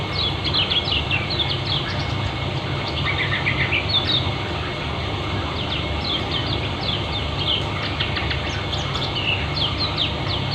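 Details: Kecial kuning, a Lombok white-eye, in ngeriwik style with speed and density: quick high down-slurred chirp notes scattered across the clip, a small burst of lower notes midway, with a continuous low hum beneath.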